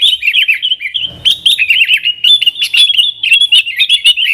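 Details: Yellow-vented bulbul (trucukan) singing in the lively 'nggaruda' style, used as a lure to call wild sooty-headed bulbuls; rapid, chattering run of warbled, looping high notes with brief sharp accents, nearly continuous.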